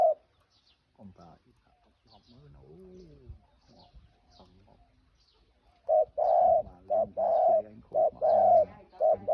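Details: Spotted dove song: faint rustling and soft murmured notes at first, then from about six seconds a loud run of low, mellow coos repeated roughly every half second.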